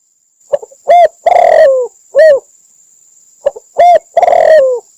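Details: Spotted dove in Cambodia, recorded as a trapping lure, giving soft low coos in phrases: a short note, then a longer rolling coo, repeated about three seconds apart. A faint steady high whine runs throughout.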